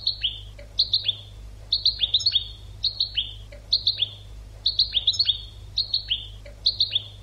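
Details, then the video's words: Educational European goldfinch song for training birds: a regular rhythmic phrase of three quick, bright, downslurred chirps repeated roughly every three-quarters of a second throughout, over a low constant hum. "CD ekpedeutiko.karderina (educational goldfinch)"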